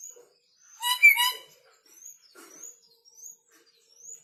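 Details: Red lory just brought from North Maluku, still fierce, lets out a single grating screech followed by a series of thin, high, upslurred whistles from another bird in the background.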